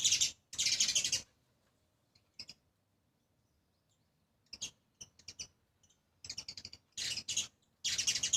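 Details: A sparrow family of two adults and two young eats grains at a seventh-floor window; loud chirping bursts open and close the recording, with quiet gaps and scattered short chirps between.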